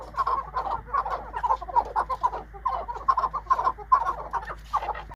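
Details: Large farm-raised chukars kept for sale in Quetta, Balochistan, giving mid-pitched clucking chuck notes in loose bursts, about two or three per second, several notes overlapping through the clip.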